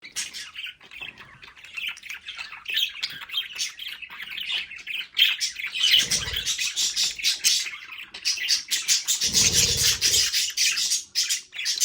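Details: Pet budgerigars in their home play area keep up a dense, continuous warbling chatter, with scratchy squawks and quick chirps layered over one another. Two brief low thumping bursts break through midway.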